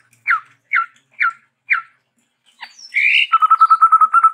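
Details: Chestnut-rumped babbler, described as a Sumatran endemic, in varied song: four loud down-slurred whistles about half a second apart, a harsh burst, then a fast, even trill of repeated notes.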